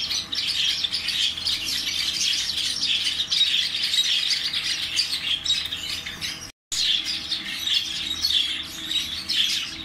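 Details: Parrot giving continuous harsh, high squawks and chattering without pause, briefly cut to silence near the end before the noisy calling resumes, low hum underneath.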